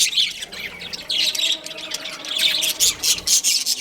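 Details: Australian parrots, budgerigars kept as a breeding pair, deliver rapid scratchy chirps and squawks, rising in intensity toward the end with several sharp, clipped notes.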